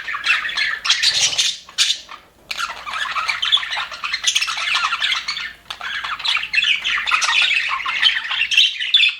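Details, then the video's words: Happy budgerigars in an aviary chatter in a loud, dense jumble of squeaky chirps and gritty warbles, broken by a clear pause just after two seconds and a shorter lull later. "HAPPY BUDGIES SOUNDS"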